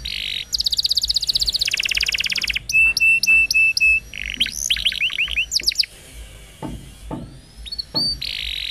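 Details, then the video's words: Canary song used as a long training recording for young canaries: fast buzzy trills, a run of five clear whistled notes, rapid rising chirps and sweeping slurred notes changing every second or so. "Kenari Gacor Panjang !! Masteran Burung Kenari PAUD dan Pancingan Kenari MACET BUNYI"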